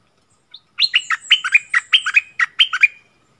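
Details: Bulbul in a heated song duel with a wild bird, 27 March 2021; a single short phrase of about ten clear, bouncing whistled notes that step up and down quickly.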